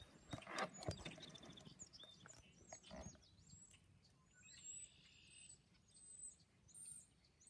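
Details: Red-winged blackbirds, more than one, with a burst of clicking and chirping at the start, then a buzzy trill and scattered high notes, set against a low steady rumble.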